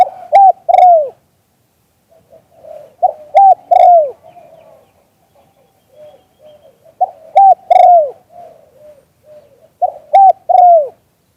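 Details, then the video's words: Live recording of a spotted dove giving its auspicious "liu tan" call: four low three-note phrases about three seconds apart, each closing in a long sliding coo, separated by soft quiet cooing murmurs. "เสียงนกเขามงคล หลิ่วตัน"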